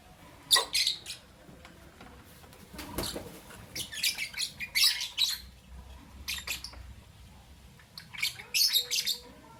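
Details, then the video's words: Caged albino and Euwing green opaline lovebirds chirping in the morning, sharp high squeaky notes in clusters separated by brief pauses, some bursts harsh and buzzy, with a soft low background hum throughout. "Lovebird Chirping Sound Video - Albino & Euwing Green Opaline"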